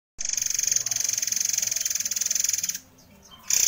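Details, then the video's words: White-crowned forktail in fast, dense 'nembak' song style: a very high, tightly pulsed buzzy trill running unbroken for over two seconds, then a brief gap before it resumes. The song is used as a model for training other birds. "Murai Air Gacor Nembak Speed Rapat | Favorit Juri Digantangan Cocok Buat Masteran"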